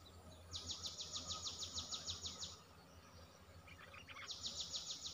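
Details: Streak-eared bulbul giving a rapid run of about twenty sharp, buzzy, high notes that begins half a second in and lasts two seconds. A softer, lower phrase follows, then a second fast burst from about four seconds. A low hum runs underneath throughout.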